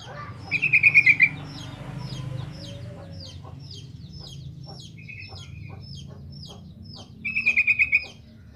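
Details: Sooty-headed bulbul in vigorous song as a lure for novice birds: two bubbly bursts of about seven rapid liquid notes, one at the start and one at the end, separated by many sharp chirps from other birds.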